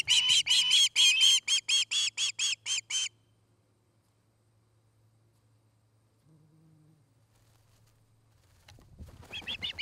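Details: Osprey at its nest in Charlo, Montana, recorded on 29 August 2018 by a nest camera: about a dozen loud, evenly spaced piping whistles over three seconds, then near silence with a low hum, and the calls start again at the end.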